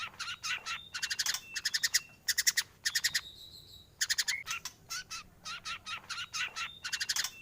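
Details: White-rumped shama in full, energetic song with varied fill-in phrases for training other birds: quick rattling trains of stacked notes in groups, with a drawn-out buzzy whistle in the middle, over a faint background hiss.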